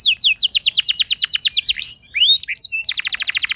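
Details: Lure song of a canary meant to start other canaries singing: rapid series of sharp down-slurred whistled notes, a brief pause with a few rising sweeps, then another fast repeated run.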